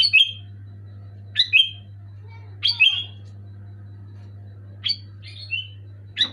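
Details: Sooty-headed bulbul in energetic loud song, giving sharp bubbly whistled phrases that drop slightly in pitch, several in quick pairs, against a steady low hum.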